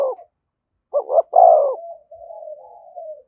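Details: Single 'thúc gù' phrase from a spotted dove near a decoy bird: two rapid hoots, then a loud rolling coo that fades into a long, quiet, wavering tail.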